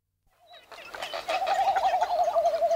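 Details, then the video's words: A red-footed booby recorded at medium close range gives coarse croaking calls, some loud, including a rapid wavering rattling burr held about two seconds, with other bird calls faint behind. "Coarse Croaking Calls From Booby, Sometimes Loud"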